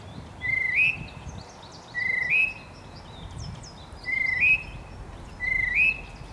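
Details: A male tufted titmouse repeats its spring whistle four times, about every one and a half seconds: a pure level tone ending in a quick upward slide. Faint chirps from other birds come between the notes.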